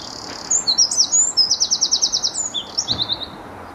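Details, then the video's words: Garden songbird at Bedhampton Railway Station: a couple of sharp high notes lead into a fast, even trill of about a dozen pulses, ending in thin descending whistles. "A Few Song Birds and Garden Birds at Bedhampton Railway Station"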